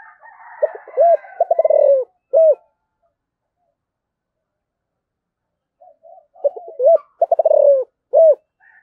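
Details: Calling spotted dove of the 'giọng thổ' voice style gives two matching coo phrases about four seconds apart. Each has short hollow coos, a quick stuttering run into a long descending coo, then a final coo. Faint higher chatter opens the recording.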